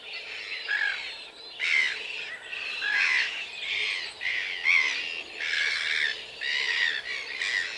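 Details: Red-gartered coot on Chilean lakes and lagoons: continuous harsh nasal squawking, roughly one burst per second, several birds calling over each other.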